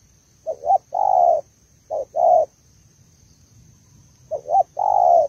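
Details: Malaysian spotted dove hen calling to excite the male: three phrases of short quick coos leading into a longer, throaty, drawn-out coo, with pauses between phrases and a faint high hum behind.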